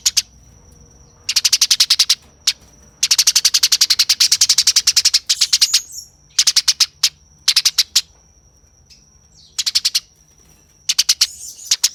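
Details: Rapid, harsh chattering of a fighting Eurasian tree sparrow, repeated in fast bursts of tightly packed chips separated by short pauses, over a thin continuous high whine.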